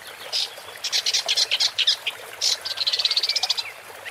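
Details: Woodchat shrike (Lanius senator) singing: a rapid, scratchy chatter of short high notes in bursts, ending in a quick, evenly spaced run of about a dozen clipped notes, with a thin whistle underneath.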